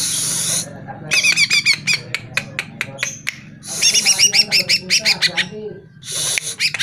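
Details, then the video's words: Greater green leafbird song used to trigger caged birds to respond and sing: noisy hissing bursts framing quick rattling series of sharp, clipped chirps, repeated in two long runs over a faint low hum. "Pancingan Suara Burung CUCAK IJO Dijamin NYAUT"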